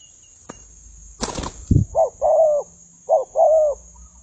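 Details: Decoy spotted dove fighting with wild birds. A burst of wing flapping and a low thud are followed by two pairs of coos: a short note, then a longer, level, slightly falling coo, all against a faint steady high hiss.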